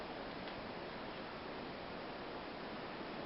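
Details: Even rushing noise like flowing water or surf fills the recording, with no animal sound.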